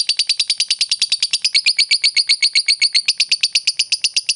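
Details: Fighter lovebird in full ngekek chatter, used to goad an opponent into answering: fast, tight string of shrill clipped notes, roughly four per second, even and continuous.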